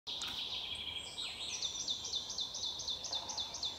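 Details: Wood warbler at Lübeck on 13 May 2023: high, thin notes, then a run of sharp, hooked notes repeated about four times a second, over a faint hiss of background noise.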